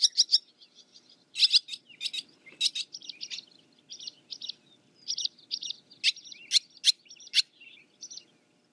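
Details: Barn swallow (Hirundo rustica) calling with a steady series of short, sharp high chirps and squeaky twitters, some louder clipped notes standing out, spaced irregularly about every half second, faint low background rumble.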